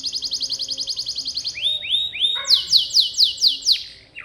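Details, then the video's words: Gacor canary, recorded to help pet canaries learn to sing: a quick pulsed trill, three upward-hooked whistles, then loud sweeping notes falling steeply, about four per second. "Suara Burung Kenari Gacor Bikin Hati Tenang | Suara Masteran Kenari Terbaik Sepanjang Hari"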